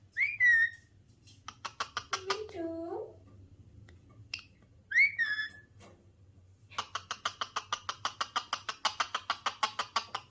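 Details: Ringneck parrot's natural calls: sharp harsh squawks, a low throaty warble, then a long rapid train of clipped chattering notes, all indoors.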